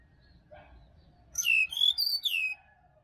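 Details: Forest-recorded Bali sirdadu, wild, used to prompt caged birds in the morning; after a faint lower note, a quick cascade of sharp whistles steps down in pitch, over a low background rumble.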